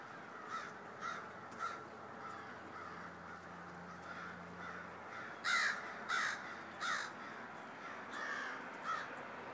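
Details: A noisy flock of crows calling just before snow began to fall on Friday, December 13: many harsh caws, softer early on, then louder bursts in an irregular series of about a dozen, with a faint low drone beneath.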